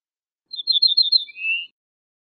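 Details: Ortolan bunting singing: about six quick, clear, high notes of equal spacing, then one lower, slightly rising, drawn-out note. The recording is otherwise silent.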